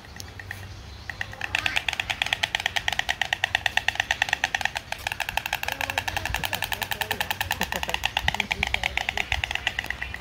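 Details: White stork at San Diego Safari Park clattering its bill in a fast, dry, wooden rattle that runs on for several seconds, over a low background hum.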